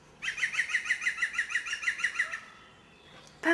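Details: A European green woodpecker calling from a tree in the Vallée du Goëlo, Ploufragan, Côtes d'Armor, 2011, gives its distinctive ringing, laughing run of about fourteen even notes, roughly six per second, then a brief sharp knock.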